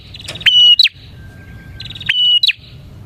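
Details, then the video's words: Bar-winged prinia in energetic song, played to lure prinias. A soft rapid chattering lead-in precedes each of two loud phrases, a held whistle ending in a twisting squeak. A faint low hum runs between them. "suara burung prenjak gacor ini 💯% ampuh untuk pikat prenjak dan pancingan prenjak"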